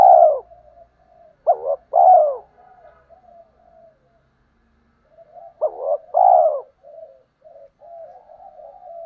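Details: Spotted dove coos used to provoke wild males and train decoy birds, from male and female birds. Two mellow low phrases sound five seconds apart: a clipped double note, then a long hollow coo, with a soft continuous murmur.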